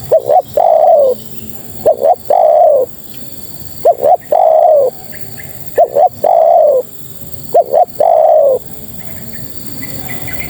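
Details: Calling female spotted dove seeking males: repeated phrases of two brief bent notes and a long full coo dropping slightly in pitch, about five phrases, then trailing quiet with faint high chirps near the end.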